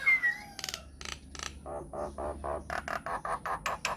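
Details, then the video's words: Myna song meant to draw answers from other mynas. An opening falling whistle gives way to a quick series of harsh, rasping pulses, repeated in a steady chattering rhythm. "PANCINGAN / MASTERAN SAKTI UNTUK SEMUA JENIS JALAK, JALAK APA SAJA AKAN NYAUT | MYNAH BIRD"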